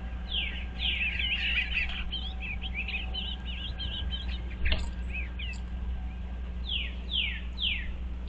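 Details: Eastern bluebirds checking out a birdhouse in February 2023. A busy run of soft, tumbling warbles is framed by quick downward-swept chirps at the start and end, with a low hum behind.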